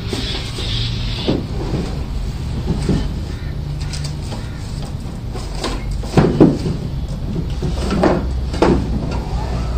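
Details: Indoor-sounding thumps and knocks mixed with low murmured voices and a steady hum, with no animal calls evident.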